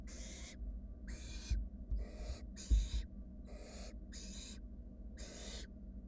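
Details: Wild barn owl nestlings at a monitored nest box, huddling while a sibling slowly swallows a rat; harsh, broadband hissing snores repeated about every 0.6 seconds over a low steady hum, with a few soft thumps.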